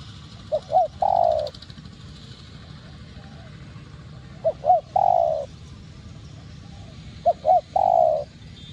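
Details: Spotted dove, locally cu gáy, cooing to stimulate and attract other doves: three phrases of two short hooked coos and a longer drawn coo, every few seconds, over steady low rumbling background noise.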